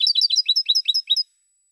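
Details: European goldfinch song (cante de jilguero) recorded in 2016: a quick run of about ten bright, twittering notes at an even pace, each a short rising-falling chirp, ending abruptly after just over a second; no other sounds.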